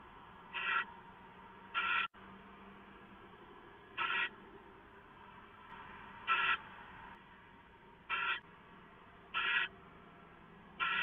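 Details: Owl given leftovers at 6:04 AM, 15 March 2014, filmed by live camera; a run of seven short raspy screech-hisses at uneven intervals, with one sharp click early on and constant low hiss.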